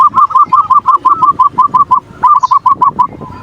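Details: Zebra dove in full song, played as a lure to stir breeding mood and provoke an opponent: a rapid series of short bubbling coos, about three per second, with a brief pause midway before the run resumes.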